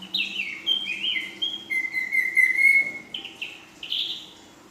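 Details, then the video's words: Young female Ashy drongo, kept bird, singing a 'full isian' filled-in song: a varied run of clear whistled notes, some sliding up or down, one long steady whistle near the middle, then short rising phrases at the end. "Srigunting Abu Paud Betina Full Isian"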